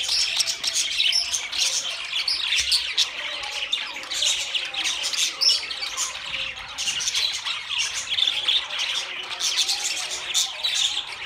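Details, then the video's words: Long stretch of budgerigar flock chatter: unbroken scratchy warbling, quick chirps and rasping squawks layered from many birds, loudness rising and falling in waves. "Beautiful Budgie Beautiful Budgies Parrot Talking"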